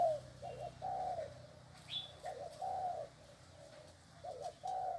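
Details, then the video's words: Spotted dove cooing softly, with a few doubled short notes and longer muffled coos separated by pauses. A single sharp higher chirp from another bird cuts in once. "Tiếng Chim Cu . Cu Gáy Xích chân Gù thật máu"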